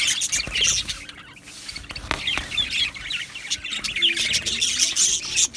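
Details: Colony of Australian budgerigars in an aviary on 12 July 2025, filling the air with rolling high chirps and squeaky warbles, a couple of sharp clicks around midway.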